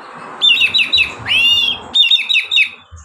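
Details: Continuous ngeplong song from an oriental magpie-robin, relaxed in pace and used to prompt other magpie-robins to sing: rhythmic chains of bright, clipped whistles around a single long, sweeping, rich note in the middle.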